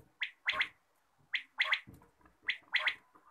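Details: Quail in the morning giving its clipped three-note call, a single note followed by a rapid double, repeated three times at a steady pace.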